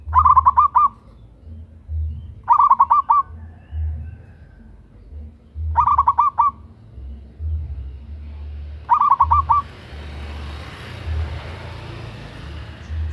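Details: Local zebra dove, a female calling to a male, recorded for use as a lure: four bursts of rapid stuttering coo notes at a mid pitch, spaced about three seconds apart, over a steady low hum.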